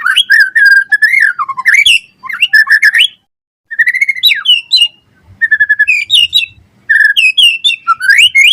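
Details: Murai batu, the white-rumped shama, singing 'gacor' for training and luring caged birds: clear whistled phrases that slide up and down, bursts of rapid notes separated by brief silences.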